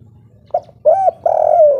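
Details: Local derkuku, the spotted dove, in strong kuk 3 song: a soft short note, then a mid-length coo and a long, throaty, buzzing coo that falls at the end.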